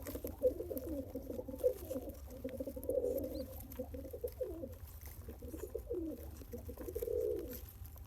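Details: A one-day-old pigeon being fed by its father, the feeding known as pumping; choppy, low, gruff pulsing sounds in short bursts, ending with a louder drawn-out rough grunt, over a low background hum.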